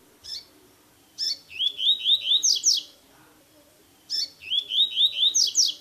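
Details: Tui tui song style of the double-collared seedeater, for teaching a captive bird: short introductory notes, then a run of rapid slurred whistles that climbs higher, repeated twice.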